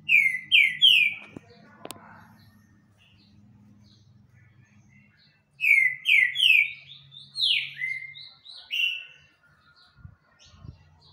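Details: Green-winged saltator in full song: a run of three rising whistled notes, a pause, then a longer loud phrase of repeated slurred whistles, with a few sharp clicks and knocks.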